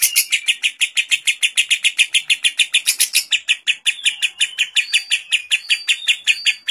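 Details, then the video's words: Kept lovebird delivering a long 'ngekek' song with kapas tembak filler phrases, used as a tutor recording; fast, steady series of harsh chirping notes, about five per second, running continuously with short whistled inserts near the end. "Masteran burung lovebird isian kapas tembak"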